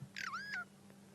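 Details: At sunrise on 28 May 2016 in Sabi Sand, a Burchell's starling calls furiously close in front while picking at grass seeds on the ground: a single loud, slurred call that dips then levels off, over a low engine hum.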